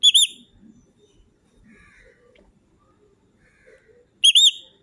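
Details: Pet parrot giving a quick wavy whistle at the start and another about four seconds later, both clear and ringing with rich overtones, quiet low shuffling in between.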